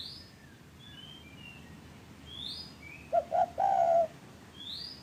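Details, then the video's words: Spotted dove call meant to make lazy caged doves start calling. A single phrase of two short, soft coos and a longer, slurred coo near the end, against high, sweeping chirps of other birds. "pancingan derkuku TEKUKUR bahan, macet, malas cepat BUNYI"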